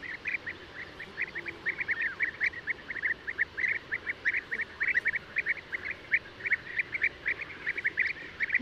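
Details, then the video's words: European bee-eater (Merops apiaster) calling: short, rolling, slightly buzzy notes repeated rapidly and continuously, often overlapping as if several birds call together. A steady faint hiss runs underneath. "O canto do abelharuco-comum/abelharuco-europeu (Merops apiaster)"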